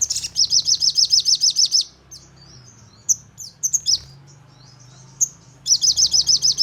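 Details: Crimson sunbird lure song meant to prompt rapid-fire singing: a fast, regular high trill of sharp repeated notes, a pause with thin scattered chirps and faint low hum, then the quick trill resumes.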